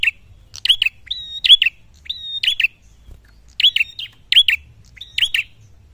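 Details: Red-headed prinia in full song, looking for a rival, giving bursts of sharp high chirps linked by short steady whistles, phrases spaced about a second apart with brief silences; quiet low hum behind.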